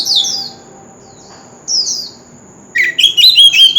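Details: Wild-caught oriental magpie-robin song, used to prompt other birds to sing. Two loud, clear whistles each slide downward and are separated by a pause. They are followed by a burst of rich, varied warbled phrases with sharp high notes.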